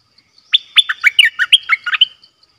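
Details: Decoy bulbul from 18 December 2021 gives one quick, lively phrase of about nine bright whistled notes, some dropping and some looping, delivered in roughly one and a half seconds.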